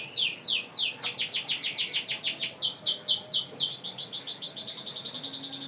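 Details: Canary in vigorous long-breath singing, used as a lure for other canaries: high, rapid trills of short downward-sweeping notes, repeated about three per second and sustained without break.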